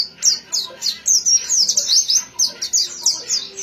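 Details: Excited white-eye song of fast, sharp, high chirps and slurred whistles, nearly four notes per second with no real pause.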